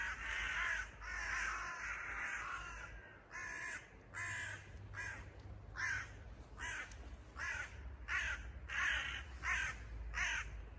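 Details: Harsh crow caws come in a quick, fairly regular series of short bursts as the parents fly around their chick, fallen from the nest at a house threshold.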